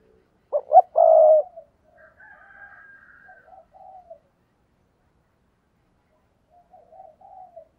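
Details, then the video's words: Spotted dove used as a decoy to lure wild doves, giving one coo phrase: two short rising notes and then a long, steady low coo. Softer cooing and a faint higher drawn note from a distant bird follow. "tiếng cu gáy thúc bổi"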